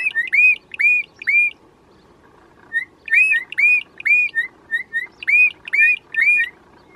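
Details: A Bokmakierie pair calling in duet: loud, ringing whistled notes with a hooked, rising-falling shape, delivered in quick bursts of two or three with short pauses, over a faint low rumble.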